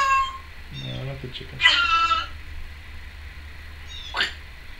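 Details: Female pet Timneh African grey parrot, recorded indoors in 2012, producing various noises: a low nasal buzzing sound, then a harsh squeaky burst and a brief rising squeak after a pause, over a steady low hum.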